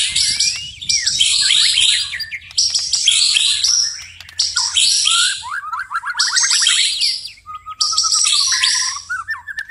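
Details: White-rumped shama singing at night in bursts of about two seconds of shrill, scratchy chatter. Rippling warbled trills and twittering fill the gaps, over a faint low hum.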